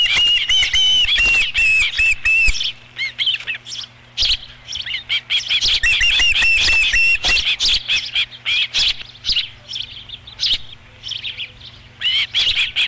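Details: Osprey calling at a ranch nest during a fish delivery, 13 July 2016, fifth fish of the day: urgent high whistled chirps in fast runs, about two or three per second, fading and resuming, over a faint low hum.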